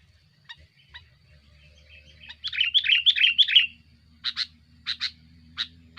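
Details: Sooty-headed bulbul singing aggressively to pressure rivals, used as a lure for wild birds: faint scattered chips, then a loud rapid chattering run lasting about a second, followed by short separate buzzy notes repeated at roughly half-second gaps; low hum beneath.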